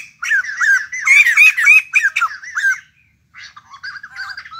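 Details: Newly acquired wild-caught white-crested laughingthrush kept as a cage bird: loud, harsh, squawky chattering notes in rapid bursts for almost three seconds, a short pause, then softer scratchy chatter resumes.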